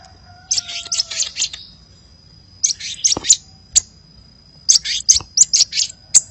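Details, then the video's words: Chattering hummingbird lure call: groups of thin, very high chirps separated by quiet gaps, with a steady high whine behind them and faint lower whistles at the start. "Suara Pikat Burung Kolibri Gacor"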